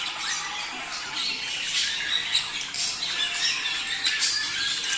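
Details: A flock of budgies warbles and chirps without pause, in a sound meant to stimulate mating. Scattered louder squawks stand out over the even high twitter.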